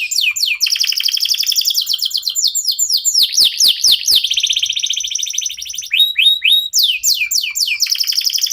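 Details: Singing local canary, played to set other songbirds singing: dense, continuous high trills of fast descending sweeps, sustained buzzy rolls and shifting phrases throughout, loud and unbroken.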